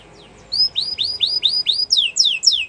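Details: Canary singing, played to stimulate other canaries to sing. A half-second pause, then a run of about ten clear, whistled notes, each sweeping down, repeated rapidly. The last notes are louder and broader.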